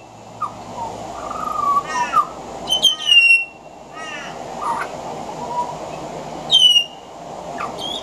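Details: Pied butcherbird singing from a veranda, its song mixed with mimicry of other Australian birds: clear fluted whistles, some gliding and some steady, broken by rapid stacked chattering notes and sharp high whistled phrases, against a steady background hiss.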